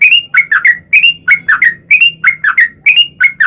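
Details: Sooty-headed bulbul singing long, used as lure audio to prompt bulbuls to answer: grouped bubbly whistled notes in clusters of two or three, rich and liquid, with a faint low hum underneath.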